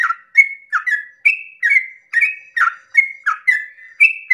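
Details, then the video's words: Yellow-vented bulbul singing a long 'ropel' song at dawn, used to provoke other bulbuls to sing: quick bubbly phrases, each a short gurgle that slides into a clear whistled note, repeated almost every half second without pause. "pancingan trucukan ropel panjang subuh pagi hari merangsang emosi trucuk lain agar ikut bunyi Ropel"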